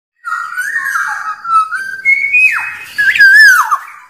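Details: Wild black-naped oriole singing, used to provoke rivals: fluid mellow whistles gliding between low and higher pitches, ending in a louder looping, downward-bending phrase with a harsher rasp near the close.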